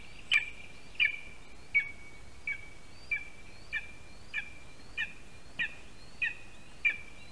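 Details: Lesser spotted eagle chick in a spruce-tree nest in Latvia, fed breakfast by its father at 8:14 AM on 12 July 2021. It gives sharp, high yelping notes with a downward flick, repeated roughly every 0.6 seconds, with a faint background hiss.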